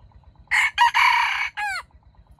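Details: A wild red junglefowl rooster in a trap gives one loud, brisk crow in several harsh segments, ending in a falling, trailing note, over a faint low pulsing hum.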